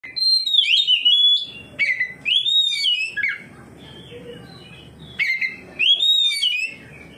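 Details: Oriental magpie-robin giving its loud full song, the ngeplong style, in reply to another magpie-robin and showing its repertoire of borrowed phrases. It sings loud, varied whistled phrases with rising and falling slurs in two bursts separated by a pause, over faint background rumble.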